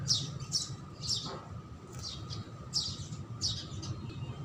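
House sparrows chirping in short, bright notes, roughly two or three a second in loose bursts, over a low background rumble.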